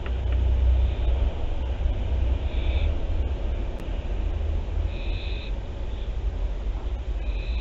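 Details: Barn owls at Théding, France, recorded 24 September 2021, produce three soft, hoarse hisses at irregular gaps, partly masked by a loud low-pitched drone and small crackles.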